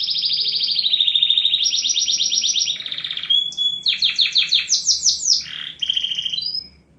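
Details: Singing canary delivering fast rolled tours that step between pitches, a lower buzzy roll, then a burst of rapid clipped notes before fading out.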